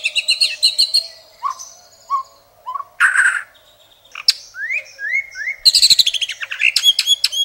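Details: Indonesian murai batu (white-rumped shama) masteran with rich filling: quick high chips, a few low whistled notes, a harsh rasp, three rising slurred whistles, then a dense run of sharp high notes.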